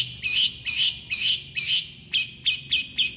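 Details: Long-tailed shrike in rapid song meant to prompt other shrikes to answer. Harsh, grating notes come about twice a second, followed by quicker, sharper clipped notes.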